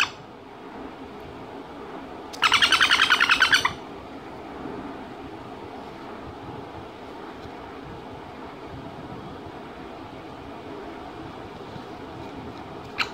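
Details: A 3-month-old pet sun conure chick eating papaya gives one brief burst of harsh, rapidly pulsed squawks, then falls quiet.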